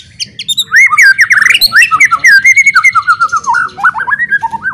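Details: White-rumped shama pouring out a loud, rich song said to provoke rival shamas into fighting; a fast stream of varied whistled, warbling notes, rising and falling, almost without pause.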